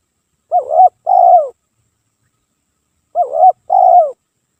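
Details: Spotted dove song used as a lure, described as nonstop singing without pause: two mellow coo phrases, the first wavering and the second a longer falling note, repeated after about two seconds of silence.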